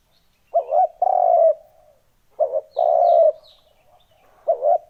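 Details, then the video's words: Spotted dove lure sound for attracting wild doves: two clear phrases of a short stuttered note then a long steady low coo, a third beginning at the end, with faint high twitters from other small birds. "Âm thanh kích chim cu gáy"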